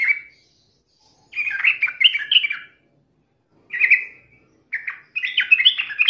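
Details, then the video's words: Taunting yellow-vented bulbul song meant to goad another bulbul into answering: short bubbly phrases of warbled notes separated by silent gaps of about a second. "trucukan gacor MELEDEK LAWAN ini sangat ahli membuat agar trucuk gacor NYAUT EMOSI"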